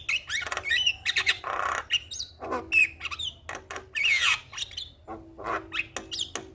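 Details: Asian pied starling lure song, harsh squawks and grating bursts mixed with short whistled slurs, delivered in uneven clusters, with a faint steady hum behind.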